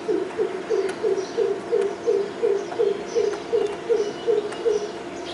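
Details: Southern coucal at Kalwa, Thane, Maharashtra, India, giving a steady series of about thirteen deep, hollow hooting notes, roughly three per second, over a constant low hum with faint thin chirps of other birds.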